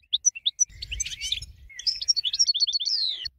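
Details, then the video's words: Goldfinch winner song meant for teaching other birds: a few separate high chirps, then a tumbling, liquid twitter of quick varied notes sliding downward, with faint low thumps underneath. "BEST 12h GOLDFINCH Winner"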